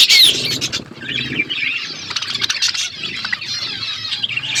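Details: Budgerigars in an outdoor aviary, a dense chorus of many birds chirping: continuous warbling chatter with quick overlapping chirps and clicks, and wing flaps at the start.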